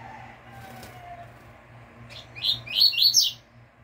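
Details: Caged double-collared seedeater singing the pure "tui tui" fibra style, a teaching song meant to start other seedeaters singing: a short burst of rapid, high, buzzy rising notes near the end, after quiet with a low steady hum.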